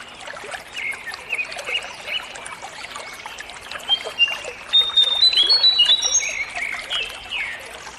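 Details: Sunda laughingthrush (Garrulax palliatus) song in natural sound: thin, clear whistled notes that rise and step about, loudest midway, over a constant trickling of running water.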